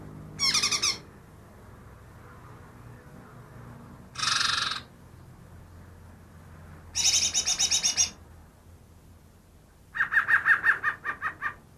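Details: Greater green leafbird mimicking other birds, captured two days earlier: four separate phrases, a short high note burst, a buzzy chatter, a rapid high rattle, then a lower, slower pulsed rattle.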